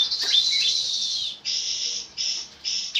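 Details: Oriental white-eye recording for training cage birds: a long, high, shimmering sustained note with thin whistles, followed by three short bursts of high buzzy sound separated by brief gaps.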